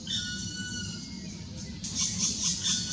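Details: Black woodpecker (Dryocopus martius) feeding chicks, Karst, Slovenia, May 2018: thin, very high-pitched notes, faint whistled tones at first, then a quick string of sharp calls about two per second over a low rumble.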